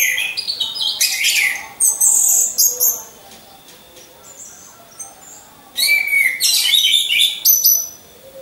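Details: Orange-headed thrush hung caged alongside others for training: loud stretches of rapid, varied high chattering and whistled notes, broken by a pause of nearly three seconds with only faint soft notes.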